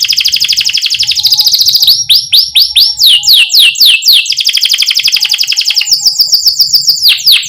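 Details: Training-lure canary song for young canaries: dense high trills alternating with bursts of fast descending chirps, the rolls and sweeps shifting pace throughout.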